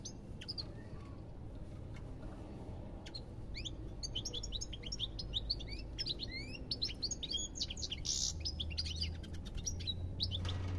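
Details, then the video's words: European goldfinch delivering a long, rambling series of quick tinkling chirps and short slurred whistles, nearly continuous after the first few seconds, over a steady low hum. "ربع ساعة من تغريد طائر الحسون"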